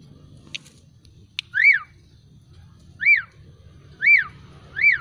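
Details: Caged Javan pied starling, freshly bathed and drying in the sun, repeating a clear up-and-down swooping whistle four times at roughly one-second to one-and-a-half-second gaps, with a few sharp clicks at the start and a quiet low hum.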